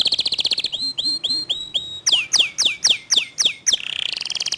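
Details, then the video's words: Local canary singing in the fast, tight 'tembakan' style with a clear voice: a quick buzzy high trill, then a run of whistled notes dropping in pitch, about four a second, ending in a rapid rattle. "Kicau Kenari Lokal Tembakan speed rapat Suara Jernih"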